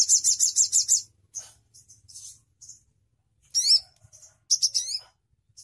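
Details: Crimson sunbird song opening with a rapid high-pitched trill of evenly spaced notes, then broken into scattered thin, squeaky phrases and sharp descending chirps with short pauses between them.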